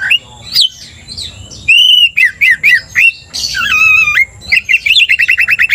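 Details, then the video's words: Oriental magpie-robin, quick to anger after being provoked by a loud-singing rival, bursts into loud clear whistles, sharp upslurred notes and buzzy held phrases, ending in a fast run of repeated chipping notes. "cepat emosi Kacer dipancing kacer GACOR ini"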